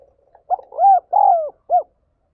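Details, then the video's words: Spotted dove calling, a recording used to stir and lure other doves: a soft short lead-in note, then two long, mellow, slightly falling hooting coos and a final brief coo, close and clean with no other sounds. "Tiếng Chim Cu Gáy Thúc Gáy Gọi 2021"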